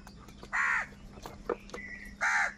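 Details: Crows at a food squabble give two loud rasping caws separated by soft knocks and a thin whistle-like tone, over a low steady hum.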